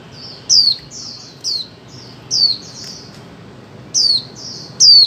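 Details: Female white-eye calling to stimulate mute birds to sing: quick series of high, sharp falling whistles interspersed with softer chirps, about six calls in five seconds.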